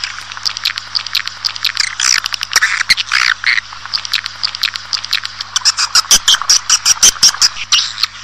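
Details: Swiftlet chatter meant to attract a colony into a building: continuous busy twittering and buzzy chirps, later sharpening into fast high ticking notes, over a faint low hum.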